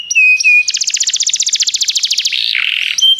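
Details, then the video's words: Singing canary for song training: a few steady whistled notes, then a fast, even trill of rapid pulses lasting about a second and a half, ending in a lower buzzy phrase and a final whistle. "Canários Begie cantam muito - o melhor treinamento canário para você"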